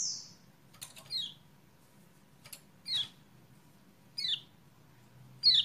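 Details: Lemon-bellied white-eye (kecial kuning) used to coax a quiet caged bird: a thin high whistle, then several short descending chirps spaced about a second apart, with clicks and a low background murmur.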